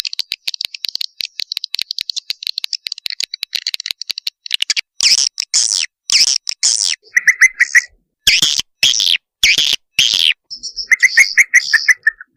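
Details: Swiftlet mating call, part of a combined recording used to attract swiftlets: about four seconds of rapid, dry, rattling clicks, then loud harsh buzzy chirps, short twittering notes and a few thin high whistled calls near the end.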